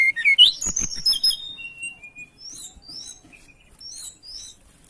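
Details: Mountain tailorbird song meant as a lure for birds: an opening burst of loud, high, rising chirps, then quieter, spaced whistled notes and soft high twitters fading toward the end.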